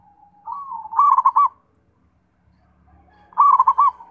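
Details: Zebra dove singing two phrases a couple of seconds apart. Each begins with a soft drawn-out note and breaks into a rapid cluster of bubbling coos, over a faint low hum.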